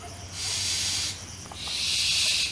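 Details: Barn owl at a nest box in Israeli farm valleys during nesting season gives two long, harsh, breathy hisses, each under a second, with a brief pause between them over a faint low hum.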